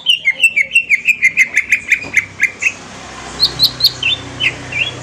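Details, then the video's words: Green leafbird song as a lure to trigger an answer, possibly from Kalimantan: a rapid, even train of short whistled notes, about three per second, then a pause and a few higher scattered chirps. "pancingan cucak ijo auto nyaut bunyi langsung"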